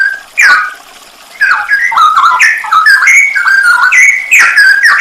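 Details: Cucak rowo, or straw-headed bulbul, singing on a songbird training recording (masteran) packed with 'nembak' fills: one sharp whistled note, a short pause, then a stream of mellow gliding whistles.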